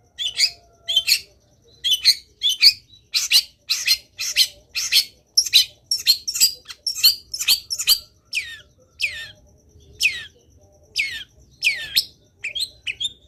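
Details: Long-tailed shrike in sustained vigorous song, a long varied series of harsh chattering notes, scratchy buzzes and short squeaky elements, dense in the middle and thinning toward the end.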